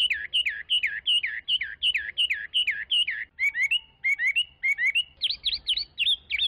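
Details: Chinese hwamei pours out a fast string of down-slurred whistles, shifts to rising three-note phrases, and ends with sharp chevron-like notes in a varied, loud song.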